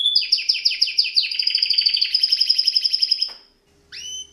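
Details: Canary (Serinus canaria) singing for training: a run of repeated descending chirps turning into a fast even trill, a short silence, then a single rising whistled note.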